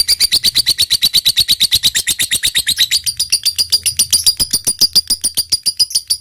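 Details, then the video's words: A lovebird delivers an extended ngekek, a rapid rattling string of piercing high notes, dense at first and then slightly slower and more spaced, with a low background hum. "suara lovebird gacor ini SANGAT DI REKOMENDASI untuk MENJADIKAN lovebird gacor NYAUT NGEKEK PANJANG"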